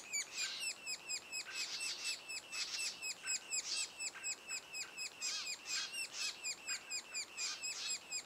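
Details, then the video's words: Sapsucker at the nest, two days ahead of first fledging. Continuous high chattering notes run about twice per second, overlaid by frequent harsher, noisier bursts from several callers. "Sapsucker nest"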